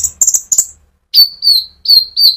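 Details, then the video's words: A konin, the brown-throated sunbird, sings 'ngerol' song to rouse olive-backed sunbirds. Three buzzy chatters are followed by four clear, high whistles that drop slightly in pitch. "pancingan Burung Konin gacor ngerol untuk kolibri ninja ijoan sampe metalik"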